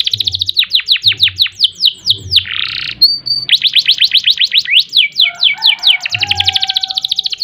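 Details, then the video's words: Canary song in long ngerol and nembak style: steady series of descending whistled notes, a buzzy rasp and a short level tone, then more rapid sweeping notes and a closing fast trill over a faint low hum and soft thumps. "Kenari Gacor Panjang Ngerek Ngerol Nembak"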